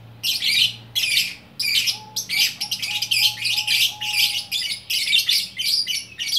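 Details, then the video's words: Fighter lovebird, unpaired, from Bukittinggi, West Sumatra, delivering gacor orkestra song: short shrill chatter bursts roughly every half second, with a faint steady whistle-like tone running beneath. "Burung Lovebird Gacor Orkestra"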